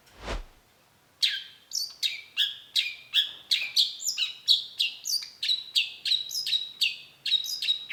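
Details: Long-tailed shrike singing after a brief low thump, then a regular string of bright, sharp notes that sweep downward, growing steadier and more uniform toward the end.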